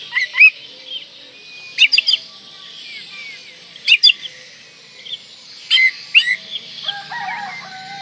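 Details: Oriental magpie-robin singing in breeding condition to stir up rivals: scattered clusters of sharp whistled and chirped notes, rising and falling, several seconds apart, with a quieter low chatter near the end and a constant high hiss behind.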